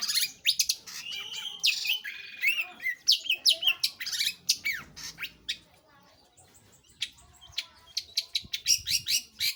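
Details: Long-tailed shrike (pentet/cendet) in lively song, opening with a chattering run of mixed whistles and harsh notes, then a quiet gap, followed by quick, sharp clicking chips repeated in steady succession.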